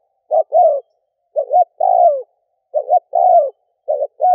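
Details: Cooing of a spotted dove from Vietnam, recorded as a decoy to draw in wild doves. Paired clipped notes lead into a longer descending coo, repeated about four times in quick succession with nothing else audible.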